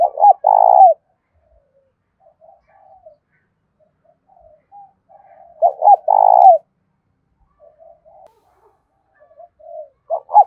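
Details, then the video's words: Decoy spotted dove calling to draw in wild doves, cu gáy thổ voice style: loud phrases of deep, rounded coos recur every five seconds or so, with quiet soft coos between them. "tieng cu gay kich boi nhanh noi gù hiệu quả"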